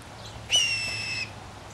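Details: Blue jay chattering from the trees after peanuts are put out: a single harsh, ringing call, starting abruptly and holding steady for about three quarters of a second, with a low hum behind.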